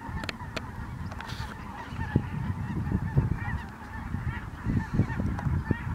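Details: A flock of Ross's geese arriving at Merced National Wildlife Refuge, 22 December 2017. Many birds give short, squeaky cackles that blend into a steady chatter, with strong low wind noise and a few sharp knocks.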